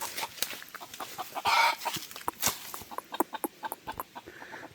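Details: A decoy lures wild red junglefowl. A loud, hoarse, rasping burst in mid-clip sits amid scattered clucks, which turn quicker and more regular toward the end.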